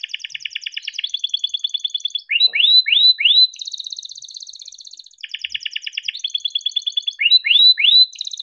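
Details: Kept canary delivering a long rolling song used to stimulate silent canaries: rapid buzzy trills of repeated notes alternate with bursts of upswept whistles, the pattern cycling twice in a steady, high-pitched flow.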